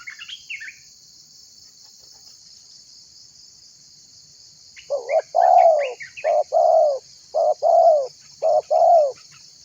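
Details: Spotted dove, a vocal individual used to prompt other birds to call. Brief high chirps of small birds at first, then after a quiet pause a run of low, even coos in a steady series over a constant high insect drone.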